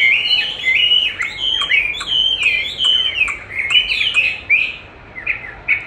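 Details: Chinese hwamei responding to its own played-back song, which it likes to fight against; fluid whistled slurs mixed with sharp clicks, fading toward the end.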